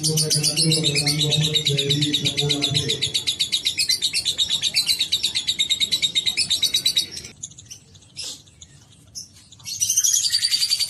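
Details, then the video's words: Caged lovebird in a long ngekek chattering song, rapid high trilled notes pouring out steadily for about seven seconds over a low hum at first, then a pause with isolated chirps before the fast trill resumes. "Terapi Burung Lovebird Agar Ngekek Panjang"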